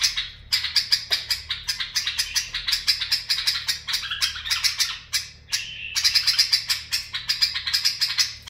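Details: Bulbul song in the barwaz and mufara'a styles: dense fast runs of sharp chirping notes, broken by a short pause and a steady whistle before the rapid chatter resumes.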